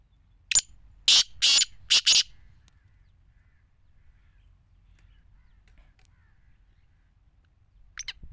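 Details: Black francolin of the Sindhi strain giving one harsh, grating five-note phrase: a short clipped note, two longer rasping notes, then two quick ones, all within about two seconds. A long quiet gap follows, then a faint brief note near the end.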